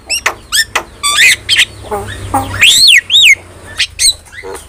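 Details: Javan myna singing for a cage-bird tutor recording: mixed squeaky whistles, harsh rasps and an arched, rising-then-falling whistled note, over a faint low hum.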